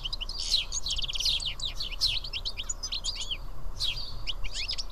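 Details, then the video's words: Seven house sparrows sitting and feeding together at Karyotissa, Greece, fill the air with dense, overlapping bright chirps and short rising tweets, with a steady low hum underneath. "Σπουργίτια (ήχος και εικόνα)"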